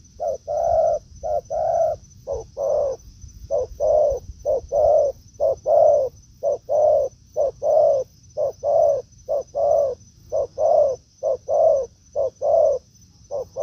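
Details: Wild spotted dove in forest confronting a decoy: an extended steady series of about sixteen paired coos, short note then longer note, delivered roughly once per second, with a constant faint high-pitched whine.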